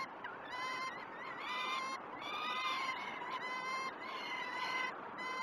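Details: Peregrine falcon nestlings begging during a feed at Great Spirit Bluff, live nest camera, 06.20 on 12 June 2018. Strained, wavering screeches rise and fall in pitch, roughly once per second, with constant background hiss.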